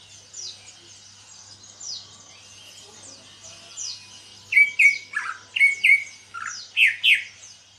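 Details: Greater green leafbird kept in a cage, recently out of a heavy moult and beginning to sing: soft high chirps from other birds at first, then a run of loud, ringing whistled notes, several sharply falling, repeated rapidly.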